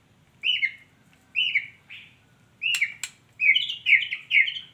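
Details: Female white-rumped shama calling with short whistled phrases that drop in pitch, repeated about every second, ending in a quicker, busier run of notes; two sharp clicks are heard in the middle.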